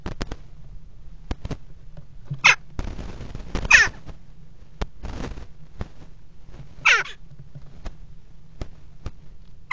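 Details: Common kestrels mating on the rim of a nest box on a water tower in Axel, February 2018: three harsh, descending calls spaced a few seconds apart, among clicks, scraping noise and steady low hum.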